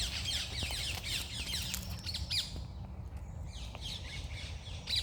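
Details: Birds singing in the morning: several overlapping high chirps and quick descending twitters, with a thin sustained whistle near the middle, set against constant low-pitched background rumble.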